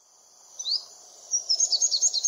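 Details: Olive-backed sunbird giving thin, high chirps: one upward-sweeping note, then a quick run of about eight sharp, evenly spaced tweets near the end, with faint low background hum.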